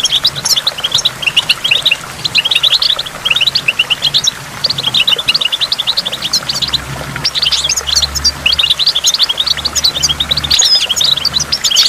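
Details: Goldfinch singing by a waterfall among water drops: a dense, fast, high twittering of sharp chirps and trills that runs almost without pause, set over a low steady hum.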